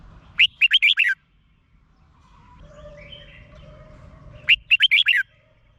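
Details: Red-whiskered bulbul song, played to excite caged birds: two quick phrases of bright, chirpy, slurred whistles, five or six notes each, about four seconds apart, with faint low background hum between.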